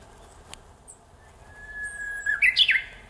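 A Japanese bush warbler gives a long, steady whistled note, then a quick rising and falling flourish in the familiar 'ho-hokekyo' pattern. Faint background hiss.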